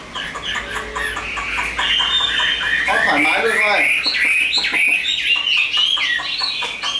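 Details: Caged Chinese hwamei offered for sale, singing loud rising and falling whistled phrases in the second half, with rapid ticking clicks running underneath throughout.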